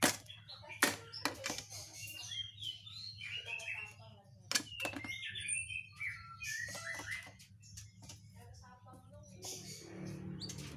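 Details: Whistling thrush in an agitated, raging state: short whistled and slurred notes, some rising and some falling, scattered between sharp clicks, with a man talking over parts of the recording.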